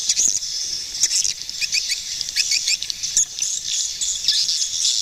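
Swiftlets twitter in a dense, high, hissing chorus, with short chirps and sharp clicks breaking through every second or so.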